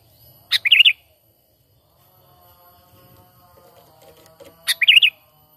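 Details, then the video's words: Sooty-headed bulbul, a natural call used as a lure for trapping birds: two short bubbly, warbling phrases about four seconds apart, each a quick sharp note followed by wavering rising-falling chirps. Otherwise quiet. "Pikat Burung Kutilang"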